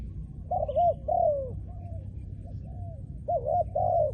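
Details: Spotted dove trained as a decoy bird for ground decoy trapping. It sings coo phrases: a quick double note and a longer descending coo, softer connecting notes, then the double-and-long pattern again, over a low hum.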